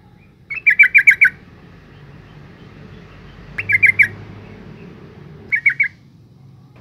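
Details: Female yellow-vented bulbul calls meant to provoke males: three clipped bursts of rapid chattering notes, the first longest at about six notes, spaced a few seconds apart over faint background hum.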